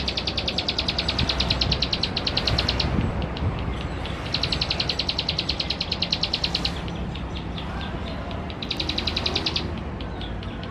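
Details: Singing male Plain Prinia (ciblek sawah) from West Java, recorded with a Canon camera to provoke rivals; three separate bursts of fast, metallic, high-pitched notes lasting about two seconds each, with softer scattered notes between and background rumble.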